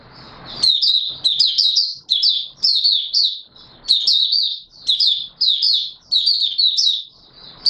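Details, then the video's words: Open singing by an Oriental white-eye (Mata Puteh Raja), 24 March 2022: sweet, fast, high twittered phrases with slurred notes, delivered in runs with brief silences between them. Slight low hum at the start. "Mata Puteh Raja Video 1 buka sing"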